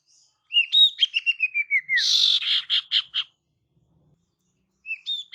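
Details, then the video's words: Female sirtu calling to lure males: a run of clear whistled notes stepping steadily downward, then a loud buzzy burst and a few rapid harsh chirps, a pause, and two short whistles at the end. "Kicauan SIRTU BETINA Untuk PIKAT SIRTU JANTAN"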